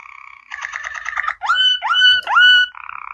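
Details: Canary singing a water-style (sloger) song: a rapid bubbling trill of repeated notes, then several clear whistled notes sweeping upward and held, ending in a softer buzzy rolling phrase.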